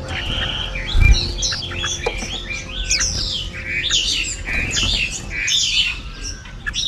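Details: A flock of red-whiskered bulbuls returning with food for their chicks in the breeding season: a dense chatter of short, bright chirps and quick slurred whistles overlapping from several birds, with a soft thump near the start.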